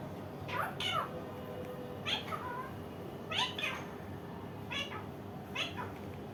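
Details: Indian ringneck parakeet giving five separate wavering, nasal calls spaced about a second apart, each a short harmonic note that bends up and down, over a constant low room hum.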